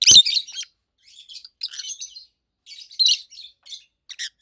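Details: Two adult caged rosy-faced lovebirds, a red-head green opaline and a white-head pallid aqua opaline, chirping loudly: harsh high chattering bursts in irregular clusters with brief silences, one sharp loud note at the start.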